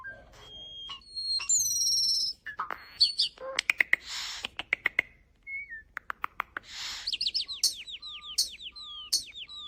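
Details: Starling producing human-like sounds in a varied medley of high whistles, sharp clicks, rasping bursts and short slurred notes, ending with a rapid series of repeated down-slurred chirps.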